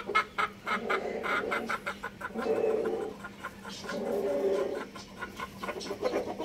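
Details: Loud rooster crowing, with two harmonic drawn-out crow phrases among rough, pulsed sounds and continuous background hum.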